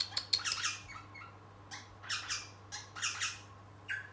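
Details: Pet young rosella practising singing while playing inside a room: repeated rough, buzzy chattering bursts, rich in high tones, with pauses between, and a low background hum.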